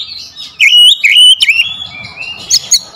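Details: Oriental magpie-robin (kacer) in a sharp lure phrase: loud slurred whistles wavering up and down, a long flat whistle, then two short high chips.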